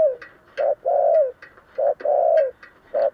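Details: Spotted dove decoy bird with a 'giọng thổ' voice calling to draw in other doves; low coos alternate short and long, about one a second, with sharp clicking taps between them.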